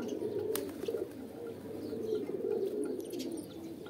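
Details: Throaty pigeon coos come in short swelling phrases roughly every half second, over a background of other cooing birds and one sharp click.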